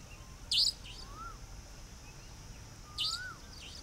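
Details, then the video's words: A Savanna nightjar (Caprimulgus affinis) in the evening at Dharmpura, Khandela, Sikar, Rajasthan, India, gives two sharp, high, hoarse 'schweep' calls about 2.5 s apart, with soft whistled notes and steady hiss between. "The Call of Savanna Nightjar"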